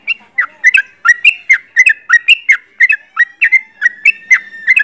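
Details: Close-range sooty-headed bulbul delivering a fast, steady run of chirpy bubbling notes, about three per second throughout, crisp and loud with no other sound.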